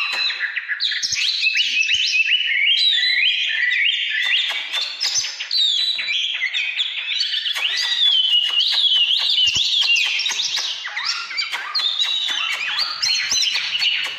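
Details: Oriental magpie-robin singing căn lửa style in 2017: a long, unbroken medley of varied whistles, warbles and buzzy slides, peppered with rapid clicking ticks throughout.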